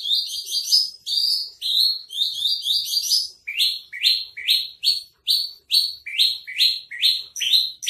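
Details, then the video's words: Spotted Javan bush lark (branjangan trotol), a caged bird in Tambun, singing a tutor song used to train other birds: rapid series of high rising chirps with thin upper overtones, about two per second, in clusters then evenly spaced, with a quiet background. "masteran branjangan trotol"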